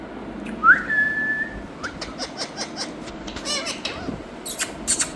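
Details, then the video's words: Parrot in India sounding a single rising whistle that levels off, followed by soft repeated ticking notes and a brief high chatter at the end. "Talking Parrot"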